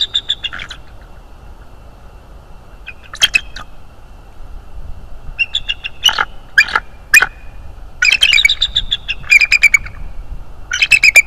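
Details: Bald eagle calling at its nest in the early morning, filmed by a live nest camera: bursts of high, thin, piping chatter notes come in clusters, with quiet gaps between them.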